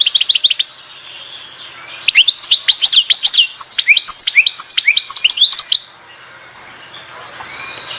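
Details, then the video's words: Song of a European goldfinch from Oued Zhour in Skikda: a brief twitter opens, then a fast, liquid stream of varied chirps and upslurred tinkling notes runs for over three seconds before stopping. "تغريد حسون واد الزهور سكيكدة"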